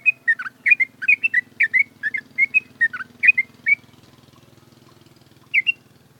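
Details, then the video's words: Caged sooty-headed bulbul in morning sun after dew exposure: a fast burst of bubbly chirped notes for about four seconds, then a quiet gap and one last phrase, with a steady low engine-like drone throughout. "TERAPI EMBUN JEMUR PAGI BIKIN BURUNG TRUCUK NGEWERRR"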